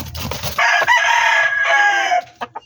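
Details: Loud, strained crow from a backyard poultry-farm chicken, one sustained harsh note lasting over a second and a half, followed by two brief clucks.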